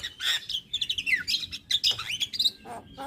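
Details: Short burst from a male Javan myna used as a tutor bird: slurred whistles dropping in pitch, mixed with quick chirps and clicks.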